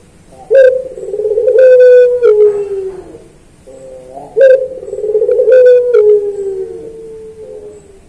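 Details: Collared dove (puter) singing pelung style for training kept birds: two long, low, drawn-out coos about four seconds apart, each starting loudly and falling slowly, with clicks between.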